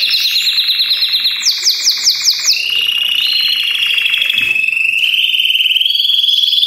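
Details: Many Belgian canaries singing at once as encouragement for other canaries; begins with quick pulsed rolls and looping bell-like notes, then settles into a long, smooth sustained trill that rises slightly at the end.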